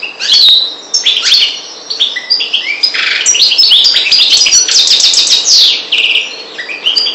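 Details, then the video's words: Energetic twittering song of a European goldfinch (parva, Maghreb), with jangling chirps, metallic buzzes and quick trilled series tumbling together for over seven seconds with scarcely a break. "Chardonneret parva maghreb"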